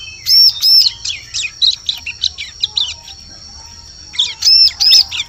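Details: Bar-winged prinia lure sound meant for forest trapping: a rapid run of sharp high chirps and arched notes, a pause, then a closing burst of arched chirps over a low background rumble.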